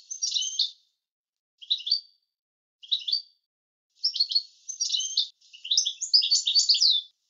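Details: European goldfinch singing an approved song style used for tutoring other birds, cleanly recorded: high twittering bursts, first short and spaced, then longer tumbling runs of liquid chirps toward the end, no background noise.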